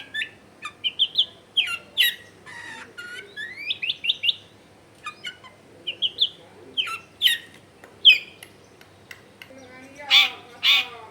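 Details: Long-tailed shrike varied song, recorded in a house in a densely populated area as a lure for quiet shrikes: scattered chirps and rising slurred whistles, ending with a few harsh, buzzy notes.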